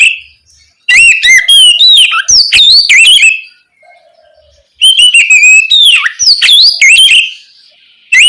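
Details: At night, an Oriental magpie-robin gives ngeplong-style song, a lure meant to prompt young spotted magpie-robins to reply; two long bursts of rich, rapid whistles and chattering slurs separated by a silent gap of about a second and a half.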